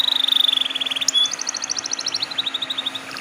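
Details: Lure canary song meant to get untrained canaries singing; a fast steady roll of notes for a second, a clear whistle, then a long even trill of repeated chips at a quick pace.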